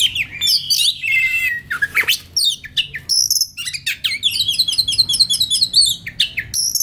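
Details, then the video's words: Relaxed song of a white-rumped shama used as master recording for training young birds: varied whistles, sharp chips and a rapid repeated trill of high notes in the second half, loud and clear. "SUARA KACER SANTAI LANJUT KONSLET Pas Buat Masteran Kacer Bahan Muda Hutan !!!"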